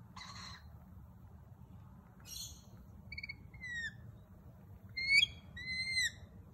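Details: Lorikeets at a kitchen window, giving short harsh screeches followed by a series of clear, descending whistled notes, irregular and rising in loudness, over a low background hum.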